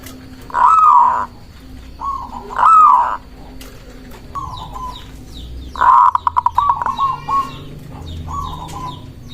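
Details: Zebra dove, a local bird, singing as a lure to stir up rivals: two long arching coos, then a brief low note, then a stuttering burst of rapid clipped notes running into a trailing coo. Other small birds chirp thinly.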